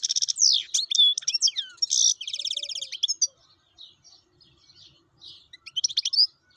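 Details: Wild European goldfinch in full song: rapid, liquid twittering of high chirps and slurred whistles, with a dry buzzy trill in the middle, then scattered softer notes and a final twittered burst.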